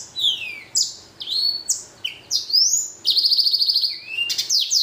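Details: Chatty blacken, a blackthroat and canary hybrid, singing a lively string of loud downward and upward slurred whistles, then a rapid buzzing trill and more sharp high phrases, with hardly any gaps.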